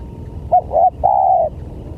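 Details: A spotted dove gives a lure call meant to attract other doves: one short note, a brief coo, then a longer level coo, clear over a low hum.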